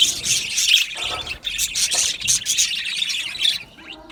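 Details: Australian budgie colony in an aviary: bright, warbling chirps layered over one another, louder at the start and fading toward the end.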